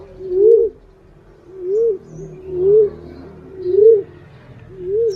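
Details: Soft, rounded coos from a green pigeon meant as a lure, single notes lifting then falling, repeated roughly once a second, with a low hum underneath.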